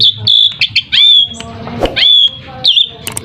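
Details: Asian pied starling singing as a lure for other birds to respond, with long flat whistles, scratchy downslurred notes and clicks, over steady low background noise.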